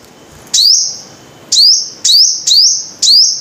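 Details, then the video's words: Five-coloured sunbird: single piercing notes, each a steep rise into a level high whistle, five in just over three seconds, the first after a half-second silence. "Tiếng chim hút mật 5 màu"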